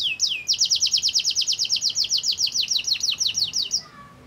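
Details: Canary singing as a lure for other canaries to join in, a rapid string of about twenty-five bright downward-slurred notes delivered evenly, fading into a few softer notes at the end.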